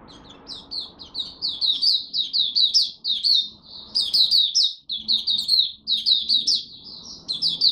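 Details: Hobby-kept Malaysian white-eye in its first warm-up singing of the day, 01/08/2023: loud, rapid, high-pitched twittering runs of slurred chirps, one continuous burst after another with brief pauses, faint room hum beneath.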